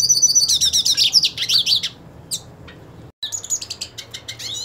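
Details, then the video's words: Purebred hooded siskin singing as it seeks a fight with another hooded siskin; hurried high warbling twitter for two seconds, scattered chirps, a short cut, then the lively twittering resumes. "Cabecita Negra Canta Y Quiere Pelea / Pintassilgo Quero Lutar"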